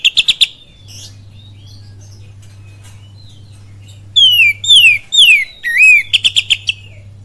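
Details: Kacer lure recording in full kapas tembak cililin style: opening run of rapid clicks, soft scattered notes, then a cascade of falling whistles and a curled warble, closing with another quick tick series.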